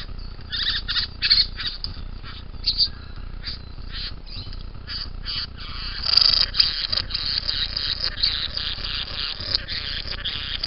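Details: Young bowerbird giving a run of harsh, raspy, hissing squawks in short bursts, some rapid and some drawn out, with a sharp click near the middle and a low steady hum beneath.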